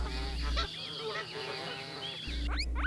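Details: Goose calling with a run of nasal, curving honks in the middle of the clip. A voice naming the animal is heard at the start and end.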